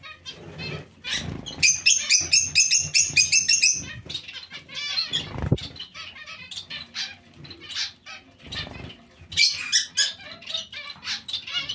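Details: Zebra finch colony with other small finches: a dense run of rapid nasal beeps around two seconds in, then sparser calls, wing whirrs and perch taps.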